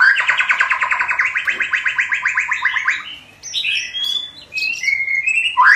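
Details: Young white-rumped shama in song practice, delivering a loud, fast rattling series of about thirty repeated notes for three seconds, then a run of varied high whistles and chirps.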